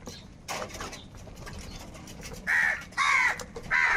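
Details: Angry crows competing for food: muffled scratchy noises first, then three strong, hoarse caws spaced about half a second apart over the last two seconds.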